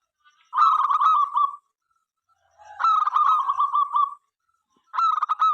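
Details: Zebra dove of a local strain, an eager singer whose song invites other doves to call; three phrases about two seconds apart, each clipped kuk notes flowing into a steady purring trill.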